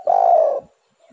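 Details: Spotted dove from a recording meant to lure doves into singing: a single long, steady, throaty coo lasting about half a second, followed by silence.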